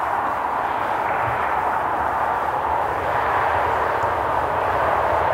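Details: A steady broadband roar like wind or engine noise fills the recording, with no animal voice.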